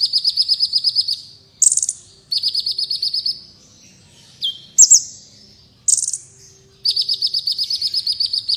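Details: Black Sunbird (kolibri wulung), a recording for training contest birds: long rapid trills of buzzy repeated notes broken by loud high squeaky bursts and a falling whistle, the trill returning at the end.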